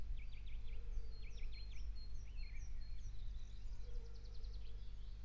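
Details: Eurasian nuthatch nestlings being fed give thin, high calls: short chevron-shaped notes in quick bursts, ending in a rapid twittering run, faint over a steady low rumble.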